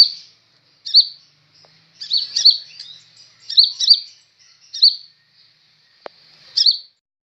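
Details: Newly acquired kolibri ninja sunbird singing strongly with piercing high chirps, often paired or in triplets, spaced about a second apart in a clean setting. A single sharp click sounds near the end.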